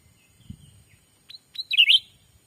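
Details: Black-capped bulbul lure call meant to bring wild birds close, Sumatran forest: a low thump and rustle, then two rising whistled notes and a bright, rolling warbled phrase.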